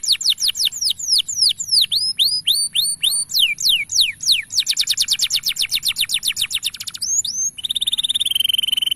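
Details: Male canary singing at length as a model for young canaries: fast swooping whistles, then a rattling trill, a couple of slurred notes and a final rolling buzzy trill.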